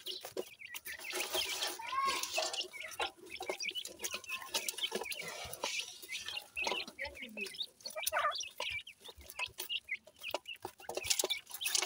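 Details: Pheasant chicks busy with new food; a clear rising whistled note stands out early among constant overlapping high chirps, soft clucks and light pecking sounds.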